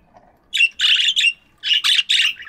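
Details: Morning aviary budgies chirping loudly: a close run of harsh, buzzy chirp phrases in two groups of three, each about a quarter second, with short gaps between.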